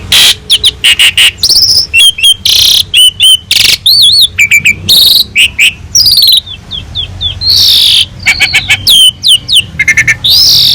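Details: Asian pied starling in vigorous song, meant to teach other cage birds: a nearly continuous medley of warbled whistles, clicks, looping wavy notes and harsh rasping phrases with hardly any pause.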